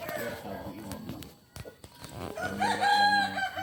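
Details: Kukuak Balenggek chicken of Solok origin; a quieter, muffled stretch with faint voices gives way to a loud, harmonic crow that rises in the last second.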